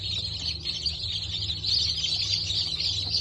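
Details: A crowd of freshly hatched Brahma and Wyandotte chickens, hatched 19 October 2024, keeps up a high, unbroken cheeping chorus of overlapping short notes, backed by a steady low drone.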